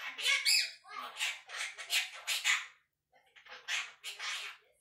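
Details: One-year-old pet Quaker parrot chattering and talking indoors: a run of harsh, buzzy, speech-like bursts, then a short pause and more mumbled syllables.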